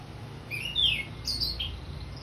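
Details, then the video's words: Orange-headed thrush in ngeplong song: a short run of bright slurred whistles, rising and falling, with a few sharp higher notes near the end over a low hum. "Anis merah ngeplong"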